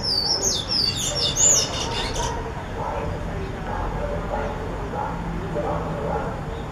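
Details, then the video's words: A Sayaca tanager (Tangara sayaca) sings a quick run of thin, squeaky, high twittering notes for about two seconds, then only a low murmur of background noise remains. "SANHAÇO CINZENTO CANTANDO"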